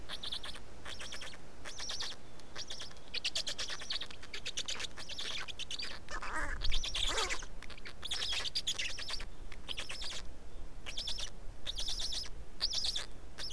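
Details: Black storks at a nest in Estonia during feeding, 19 May 2019 at 15:43; bursts of rapid, harsh, rattling pulses about a second long, repeated with short gaps, and one louder rasping note midway. Thin whistles come from other birds.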